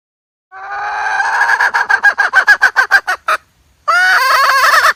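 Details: Hen call meant to lure birds into a trap: a rapid run of harsh, evenly spaced clucks, a brief pause, then a loud, broad, drawn-out squawking call.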